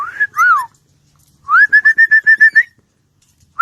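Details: Talking parrot producing clear tonal whistles: a short rising note, then a swooping rise-and-fall whistle, a pause, and a rapid run of about eight evenly repeated whistled notes that end on a slight upturn. The background is quiet.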